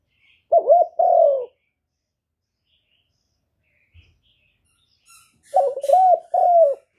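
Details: Spotted dove cooing, played to lure doves during trapping and recorded without background noise: two low, mellow coo phrases separated by about four seconds of silence, each a short note followed by longer hollow coos.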